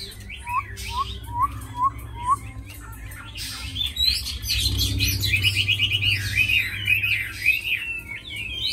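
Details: Tame caged Chinese hwamei, said to fight and sing well; five spaced, upslurred whistles open, then a fuller warble of rapid trills and swooping notes over a low background hum.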